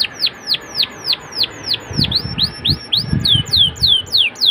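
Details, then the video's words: Atlantic canary singing to prompt young birds into song, slow repeated downward-curving whistles about four per second with soft low thumps in the background. "PANCINGAN KENARI MUDA AGAR CEPAT BUNYI DAN GACOR CENGKOK ENAK! kenari Manapun akan langsung nyaut"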